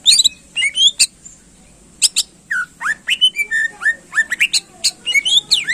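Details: Greater green leafbird pouring out lively song to provoke contest birds: a nonstop mix of liquid whistled slurs, sharp chirps and squeaky high notes, delivered in rapid succession.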